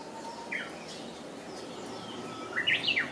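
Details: Japanese bush warbler singing its hokekyo song: a faint short whistle early, then after a pause a rapid rising and falling warbled flourish, over steady rural background noise.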